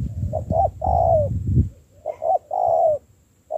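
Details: Spotted dove, caught wild and trained as a decoy, gives low drawn-out coos preceded by short notes, over a rumbling low-pitched background noise in the first half.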